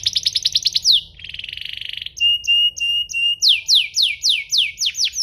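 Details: Canary singing, played to make other canaries sing: quick repeated sweeps, a buzzy trill, a string of clipped whistled notes, then loud descending sweeps repeated steadily.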